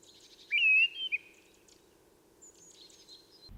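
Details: A mistle thrush sings on a mountain walk in the Ossau valley, Pyrenees, France: a short, fluty whistled phrase, then fainter high notes after a pause, over a steady low hum.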